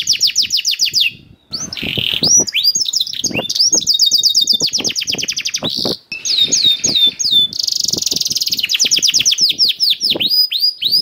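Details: Canary song meant to prompt caged canaries to sing: dense, varied phrases of fast trills, rolling notes and swept whistles, briefly broken by two short gaps, with soft low knocking underneath.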